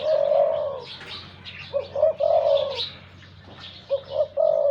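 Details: A deep-voiced decoy spotted dove, wild-caught, opens with a long drawn coo. Two more phrases follow, each of two brief hooting notes and a sustained level coo, with faint chirps in between.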